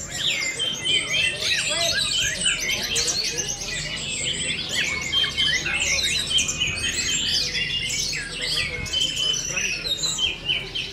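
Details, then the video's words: Orange-headed thrush aged four months delivering teler song: a loud, unbroken cascade of rapid high trills, buzzy chirps and whistled notes, quick and irregular, with faint background murmur. "Baru 4 Bulan Anis Merah Anjarmoro Telernya Seperti Ini!!"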